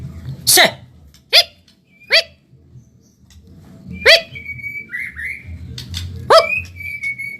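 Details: Medan-type white-rumped shama on a fast training recording for caged birds. Loud harsh clicking notes about every second, then long level whistles and short warbled slurs. Steady low hum in the background.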